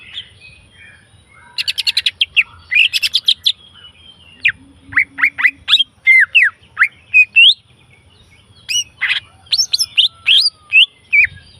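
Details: Leafbird in the wild opens with dense buzzy rattles, then a long string of crisp downslurred whistles at a steady, brisk pace. Another rattling burst follows before further sharp whistles, over a quiet low rumble.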